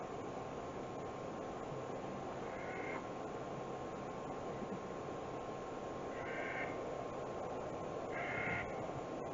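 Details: A Clark's nutcracker gives three harsh, grating, drawn-out calls over a steady hiss of background noise.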